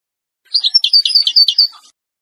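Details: Moroccan Oued-type European goldfinch song, used to tutor young birds: one brief rapid twittering phrase of liquid chirps, high and jangling, lasting just over a second.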